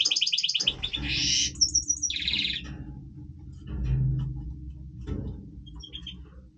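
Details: Goldfinch of the Major type singing its breeding song: a fast chip series and a dense buzzy trill in the first two seconds, then near silence with only faint chips and background hum.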